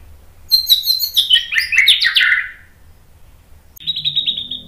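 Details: An agitated white-rumped shama sings to provoke rival males into song: a rapid cascade of high chattering notes sliding into rich, descending warbles, followed by a short, steady pulsed trill.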